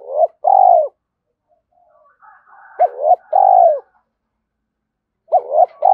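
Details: Spotted dove, a call for stirring up a decoy dove: repeated low coo phrases, each a stuttered double note then a long downward coo, roughly every two and a half seconds, with faint raspy higher sounds in the gaps.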